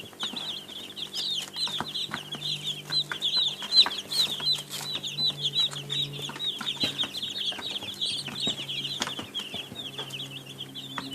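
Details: Many baby chicks peeping continuously, a dense chorus of short high cheeps overlapping with little pause; faint clicks and a low steady hum sit beneath.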